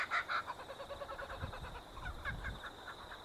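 A Laughing Kookaburra gives a quick run of harsh, chuckling notes in a rapid, uneven series, with low rumbling background noise.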